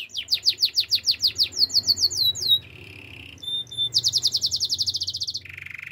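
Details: Canary delivering a rapid string of bright whistled notes, then a flatter buzzy trill and a short pause. A fast rattling tour follows and leads into a low buzzing roll, over faint room hum.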